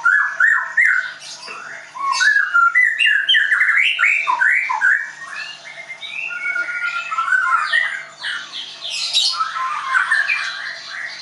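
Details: White-rumped shama from a Tangerang bird school pouring out a fast, loud song of varied whistles, squawky notes and chattering bursts, several notes per second throughout.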